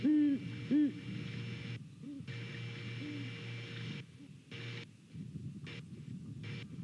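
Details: Great horned owls, a pair at a Savannah nest on a November morning, hooting back and forth: two strong deep hoots open, then fainter hoots follow irregularly amid bursts of camera hiss.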